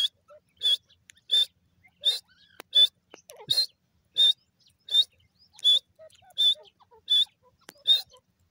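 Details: Francolin (teetar) calling: loud, sharp, clipped high notes repeated steadily about every 0.7 seconds in a clean, quiet recording with no other clear sounds.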